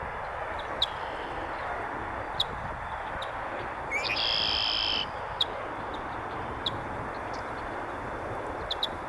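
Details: North American red-winged blackbird calling to mark its territory at the edge of a beaver pond in the northern USA: one sharp note sliding into a buzzy, ringing trill lasting about a second, over a steady broadband rush with faint clicks.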